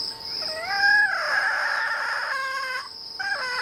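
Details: Red junglefowl crowing where a decoy bird is used to draw wild junglefowl in: one loud, harmonic crow of about three seconds, rising at the start, broad and sustained in the middle, with a short final section, over steady ringing crickets.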